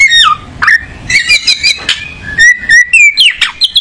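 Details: Singing kacer, the oriental magpie-robin: phrases of falling and rising whistles, short buzzy notes, and a final sweep upward, spaced by brief silences.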